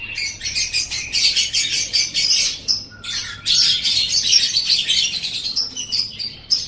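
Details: Lovebird on a master recording for training songbirds: a long stream of rapid shrill twitters and chatter, a short pause around the middle, then more fast squeaky chattering phrases.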